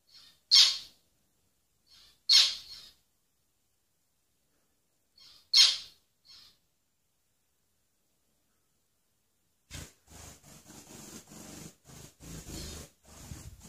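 A zebra finch gives loud nasal, buzzy notes, then a rapid, dense run of harsh rasping song.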